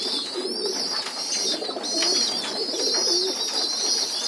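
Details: Several pigeon youngsters on the floor during group feeding, giving an unbroken high-pitched, buzzy squealing that swells and fades, with quiet wavering low coos and shuffling in a small room.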